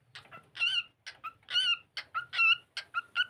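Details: Cockatiel singing as it plays: loud buzzy warbled syllables alternating with short sharp chirps, a quick uneven rhythm.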